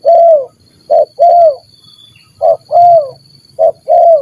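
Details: Stammering 'gagap' style spotted dove meeting another stammering dove, used for luring birds: loud, mellow coos in groups, each a short clipped note followed by a longer downward-curving coo, repeated three times with pauses, faint background hum.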